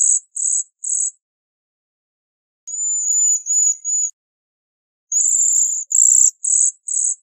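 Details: Bohemian waxwing giving three short buzzy notes, then a thin, wavering high trill in several pieces, and finally a quicker run of five buzzy bursts.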